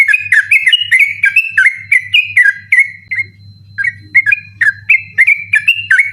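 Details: Yellow-vented bulbul delivering an insistent 'ropel' song at night, used to train contest birds; quick rolling whistled notes, a pause of about half a second, then more spaced phrases building again, with a faint steady hum.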